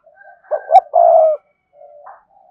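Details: Cườm sa spotted dove cooing to stimulate males: one phrase of two short low notes and a sustained coo, followed by a softer rising coo.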